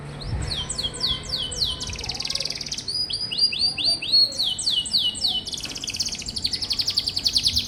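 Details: Canary song for tutoring young canaries: bursts of repeated curved whistled notes alternate with dense buzzy trills, each phrase lasting one or two seconds.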